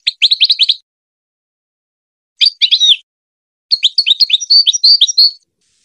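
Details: Goldfinch song for training hybrid chicks: three separate bursts of fast, high twittering, a short one, a brief stuttering phrase, then a longer rippling run with buzzy tinkling notes. Quiet gaps fall between the bursts.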